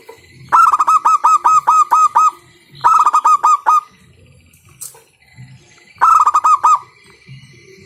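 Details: Loud local zebra dove used as a lure to get other doves singing; three bursts of rapid, ringing staccato coos, about seven notes each, spaced roughly two and a half seconds apart, with faint low hum between.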